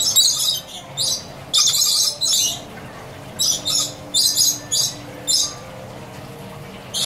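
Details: Lorikeets at Butterfly World, Coconut Creek, Florida, give harsh, high, grating screeches in short bursts, about ten in seven seconds, some in quick overlapping pairs over a faint background hum.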